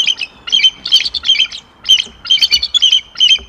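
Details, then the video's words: Rapid high piping chatter from a Bald Eagle pair vocalizing together before the male attempts copulation, January; loud squeaky notes repeated in quick bursts, nearly two per second, with brief gaps. "Attempted copulation, HM appears interested"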